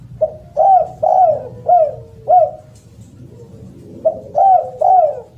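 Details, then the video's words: Two phrases of loud, melodious spotted dove cooing, each a run of four or five husky notes that rise and dip, separated by a pause of over a second, with low hum behind. "SUARA BURUNG DERKUKU ( suara keras )"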